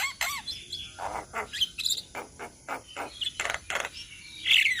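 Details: Javan mynas from Indonesia calling together as a flock, the 'ombyokan' style used as tutor recording. Harsh broadband rasps alternate with short whistled notes and squeaky slurs, irregular and overlapping.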